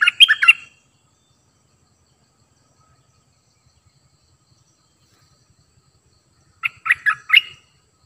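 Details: Caged decoy cream-vented bulbul delivering two short bursts of rich, bubbly warbled notes, about four notes each, separated by roughly six seconds of silence.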